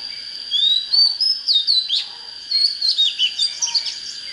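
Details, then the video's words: Fired-up Oriental magpie-robin song: a long rising whistle, then a brief pause and a flurry of quick chirped and slurred high notes, with a steady thin tone in the background. "Chích chòe than HÓT HAY || Cách LÊN LỬA TỐT NHẤT"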